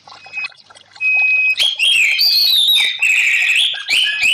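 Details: Cage-kept orange-headed thrush (anis merah) in therapy audio for birds that stopped singing: a single thin sustained whistle, then a loud, varied run of high slurred whistles and sharp chirps.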